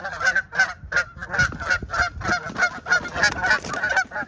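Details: Canada geese honking through a fight between two ganders in March 2023: rhythmic, raspy honks roughly three a second, each with a clear nasal tone, plus low splashing and scuffle noise.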